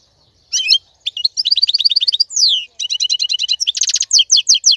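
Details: Male European goldfinch of wild origin, singing as a tutor for young birds: liquid twittering phrases, a long falling slurred whistle, then quick repeated chip notes and a harsh buzzy burst among more twitters.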